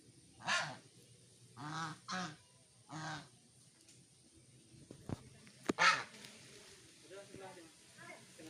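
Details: Brave domestic goose chasing a langur away in a plantation garden: loud, harsh, nasal honks in separate bursts, a single one, then a quick double, another single, and a last strong honk after a pause, with faint background voices and clatter.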